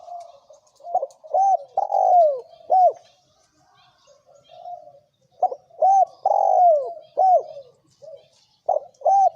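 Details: Thổ kim cooing from a male and female spotted dove, meant to provoke wild birds: loud phrases of short hooked coos and one long sliding coo repeat twice, then a third phrase begins, with quiet coos between.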